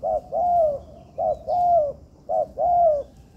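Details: Training recording of a spotted dove, locally tekukur, in an artificial yard. Three evenly spaced phrases, each a short clipped coo then a long, smooth, gently falling coo, roughly one phrase per second.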